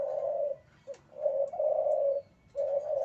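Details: Spotted dove male in breeding condition cooing close by: a sustained low note, a brief soft note, then a long wavering coo and another drawn note.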